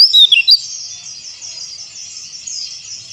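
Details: White-eye therapy song meant to get quiet birds singing, opening with a few sharp high notes followed by a steady, high, thin twittering warble.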